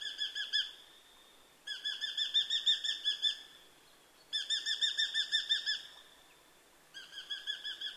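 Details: Eurasian hobby, heard on a nature sound album, repeating bursts of fast, piercing kew-kew-kew notes, four runs of roughly ten notes each separated by short pauses.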